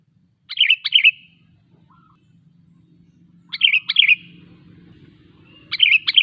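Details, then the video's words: Lure song of a sooty-headed bulbul meant to prompt silent or wild bulbuls to sing: clear bubbly two- and three-note bursts separated by pauses of about two seconds, over a low background drone. "Suara Burung KUTILANG GACOR 100% ampuh untuk memancing Kutilang lain agar bunyi"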